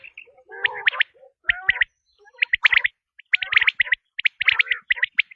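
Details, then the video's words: Quail calling in quick groups of sharp, high, clipped chirps, mixed with a few lower nasal notes, roughly a burst every second with brief silences. "بٹیر کی آزمائی ہوئی آواز ۔ | Quail Tested Sound | Batair ki Awaz"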